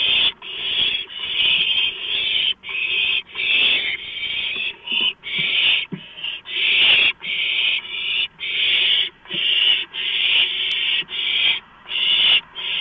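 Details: Several owlets, beaks and talons on a freshly delivered large rodent, 23 March 2015, give a near-continuous chain of loud breathy screeches with only brief gaps.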